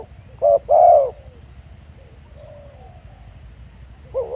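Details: Spotted dove calling live at a real field site at Pha Sing: two short, low, hollow coos close together, then quiet background hiss before another coo begins at the end.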